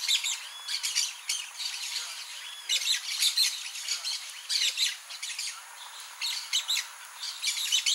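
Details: Blaze-winged parakeet (Pyrrhura devillei): repeated bouts of scratchy, screechy high chatter arriving in short bursts roughly every second or two, with softer notes between.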